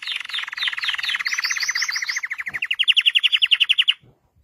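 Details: Red Belgian canary song in tours: a long even rattling trill of rapid repeated notes, then a brighter, louder, slower trill higher up, ending abruptly in near silence.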